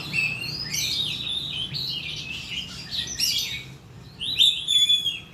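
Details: Oriental magpie-robin lure song for getting birds to sing: a flowing mix of rich whistles and rapid warbled notes, a short pause, then a ringing high whistled phrase, over a soft low hum.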